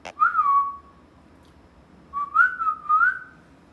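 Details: Talking pet parrot indoors giving two whistled phrases. The first is a short rise and fall. The second is longer and wavering, with an upturn at its end. A brief click comes before them.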